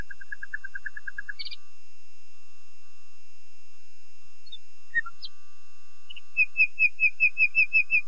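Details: Common nightingale singing: a rapid run of low chipping notes, a high buzzy burst, scattered short notes after a long pause, then a steady series of clear piping whistles, about eight in a row.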